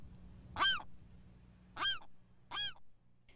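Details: Western Gull giving alarm calls at a photographer who is far too close: three loud, harsh, nasal calls with a rising-falling inflection, spaced about a second apart, over a low steady hum.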